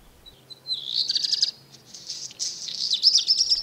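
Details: Black Redstart song, a bird that sings even before dawn on roofs and antennas: a few thin whistled notes open the phrase, then dense scratchy crackling like tearing paper, repeated in a second burst that ends in high sharp whistles.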